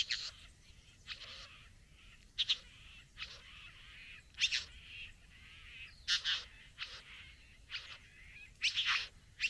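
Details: Satin bowerbird courting a female at the bower, giving harsh, buzzy bursts at irregular intervals, some longer and louder, with brief rasping notes between them and quiet background.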